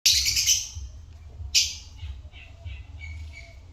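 Lovebirds give a harsh, shrill squawk, a second sharp shriek after about a second and a half, then softer high chirps. Faint low background rumble.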